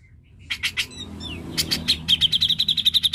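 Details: Grey-cheeked bulbul recorded as a lure to stimulate a reluctant bird to sing: three sharp, bright notes, a brief slurred whistle, then a fast, even string of clipped chattering notes over a faint low hum.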